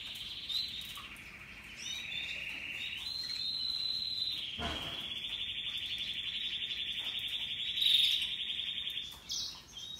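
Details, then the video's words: Russian yellow and Timbrado canaries singing happily: a long sustained high trilled phrase held level, with a brief louder buzzy burst near the end and a short click midway. "Canaries Paradise Song Sound"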